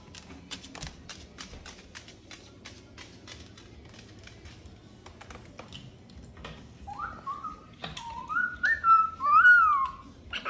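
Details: Pet male cockatoo indoors in a small room: soft tapping and clicking at first, then a run of clear whistled notes that slide up and down, growing louder and warbling near the end.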